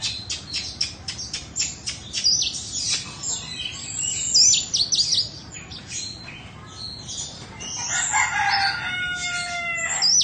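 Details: Caged Oriental magpie-robin from Indonesia, a two-season bird with no faults. A rapid series of clicking, ticking notes leads into varied whistles and scratchy phrases, ending with clear sustained tones. Steady low background hum.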